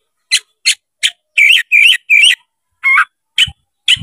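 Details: Oriental magpie-robin, tail opened, singing to draw a rival into a fight: three sharp chips, then three loud buzzy rolling phrases, a warble and more spaced chips.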